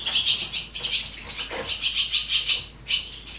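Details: Barn swallow chicks being raised in the nest, giving a dense, continuous chorus of high, shrill chirps in rapid overlapping bursts, with a few louder peaks.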